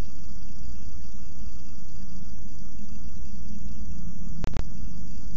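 Steady low mechanical hum and rumbling noise with faint constant tones, broken by two sharp clicks near the end; no animal voice heard.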